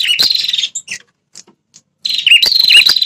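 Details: Red-headed prinia call meant to provoke wild territorial males: two harsh, buzzy trilled bursts separated by a second of near silence with a few faint ticks.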